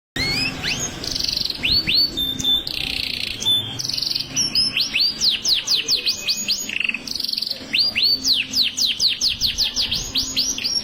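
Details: Canary, a Kenari Rasmi in gacor singing form, delivers fast, varied song: rapid series of sharp descending whistled sweeps, buzzy high trills and rattling bursts, continuous and loud throughout.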